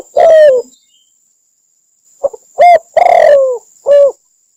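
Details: Spotted dove recorded in Cambodia, giving mellow, slightly falling coos: one opening note, a pause, then a quick run of three coos ending on a longer drawn-out one, with a steady faint high whine throughout.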